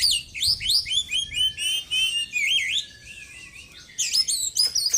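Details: White-breasted Oriental magpie-robin kept in daily care after moulting, singing vigorously with fill-ins mimicking small birds: loud bursts of varied whistled, twisting high notes and rapid chattering phrases, with a short quieter pause before another energetic outburst.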